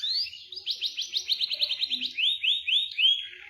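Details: Caged canary song used to prompt a silent bird into rolling: a fast train of rising chirps about five per second, then slower upswept whistles near the end.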